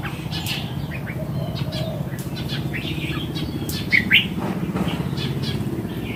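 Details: Mature wild red-whiskered bulbul singing one short, bubbly, warbled phrase near the end, over scattered faint chirps and a low background rumble.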